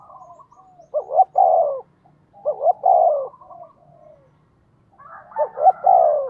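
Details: Decoy spotted dove, kept to lure wild birds, cooing at a fast pace: three phrases, each two short clipped notes and then a longer, falling, mellow coo, with soft trailing murmurs and a faint low hum between.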